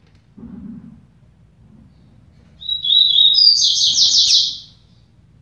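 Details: During a song dispute between two double-collared seedeaters, one bird gives a thin whistled lead-in followed by a fast buzzy trill of high notes lasting under two seconds, with faint low murmuring before it.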